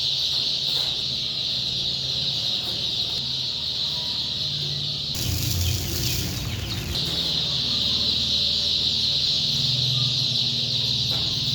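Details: Many broiler chicks peep steadily and shrilly throughout, forming an unbroken high chorus over a low droning hum, with a louder burst of broadband noise midway.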